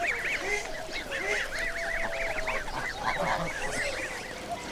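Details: Canada geese in Britain, large, vocal and social birds known for flying in V formation, honking together: overlapping arched, nasal honks repeated rapidly throughout, over a steady lower background rumble.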